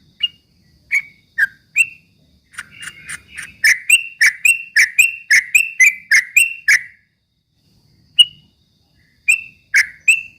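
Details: Ropel-style straw-headed bulbul song for provoking rivals: a few spaced single notes build into a fast burst of bright clicky phrases, then a silence and scattered notes again.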